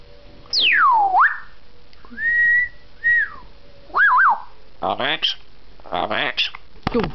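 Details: Early morning indoors, a two-year-old pet African grey parrot whistles in a chat with its owner: a long steeply falling whistle, level and arched notes, then a quick wavering phrase, followed by harsher chattering, voice-like sounds.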